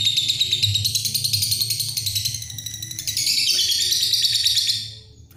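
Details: A lovebird's extended ngekek: rapid, piercing chattered notes that rise and intensify after three seconds, then fade out near the end, with a soft low hum behind.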